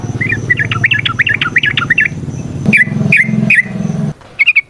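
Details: Yellow-vented bulbul ropel variation song with nrotok and ngecuplik styles, played to make other birds sing; a quick wavering chirp sequence over strong low rumbling noise, then a few isolated sharp notes.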